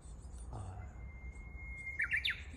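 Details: Japanese bush warbler, introduced to Hawaii and often heard on hiking summits: a long, steady whistled note, then a quick flourish of rising and falling notes, the classic 'hoo-hokekyo', with a faint voice and low rumble.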